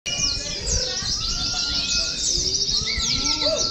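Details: Caged Oriental white-eyes hung together on a row of poles in a simulated competition, training to sing. A dense, continuous high twittering chorus, crossed by long thin whistled notes and soft lower warbles beneath.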